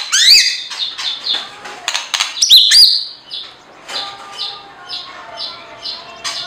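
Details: Lovebird, a small parrot with colourful feathers kept for its voice, giving rapid shrill, buzzy high chirps in dense bursts for about three seconds, followed by softer, quieter chattering that carries on to the end.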